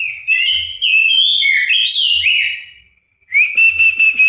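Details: Oriental magpie-robin giving a continuous run of high, bright whistles that slide up and down and have a slightly buzzy edge, then a short pause and a sustained rising whistle with quick chattering notes.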